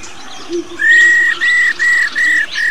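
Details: Old wild female black-throated laughingthrush giving 'rò' calls used to stimulate male birds: a series of five steady, level whistled notes, each under half a second, evenly repeated with short gaps, over a faint low hum.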